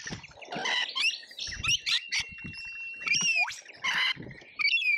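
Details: Lorikeets in a busy feeding frenzy at an Australian feeder: rasping squawks and piercing whistled shrieks, one long thin steady whistle, with overlapping calls from several birds.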